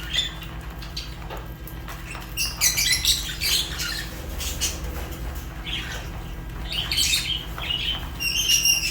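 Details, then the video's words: Fischer's lovebirds, African lovebirds, chirping: sparse chirps and squawks in the first seconds, then dense overlapping shrill, scratchy chirps from several birds, with a steady low hum underneath throughout. "African lovebirds chirps sounds | تغاريد فيشر غندور روز"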